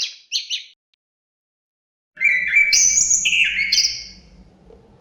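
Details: Chestnut-capped thrush (Zoothera interpres): two short high chirps, a pause, then a loud whistled phrase of sustained notes stepping up and down, over faint low background hum.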